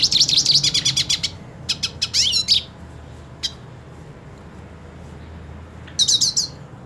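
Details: A purebred hooded siskin, wanting to fight another hooded siskin, sings in rapid bursts of high, twittering notes with a few sweeping, buzzy trills, pausing between phrases; a low hum runs underneath.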